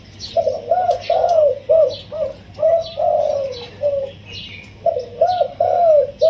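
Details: Wild-caught spotted dove, caged for 16 days, crowing in the single-kuk throw style with a soft, pleasant voice: phrases of mellow low coos, some rising and then falling, repeated in clusters with short gaps.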